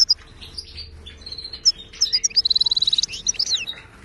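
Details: Wild Moroccan goldfinch singing in the wydani style, used as a tutor song for caged birds: scattered high chirps and short whistles, then a fast, even trill of about a dozen rapid notes, followed by twittering slides.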